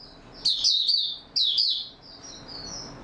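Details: Oriental white-eye, known locally as Mata Puteh, singing in stable form, recorded 28 February 2022; two bright, high twittering phrases at about half a second and 1.4 seconds, then softer thin chirps trailing off over light hiss.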